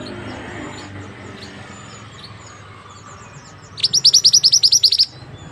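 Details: White-rumped shama from West Sumatra, singing actively: after a quiet stretch, a burst of about twelve rapid, high, piercing notes over just over a second, against low background noise.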